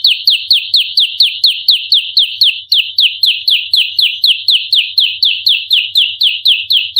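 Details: Bar-winged prinia in a fight, recorded as lure audio: a dense, uniform series of loud high notes, each briefly dropping in pitch, about four per second across seven seconds, background clean.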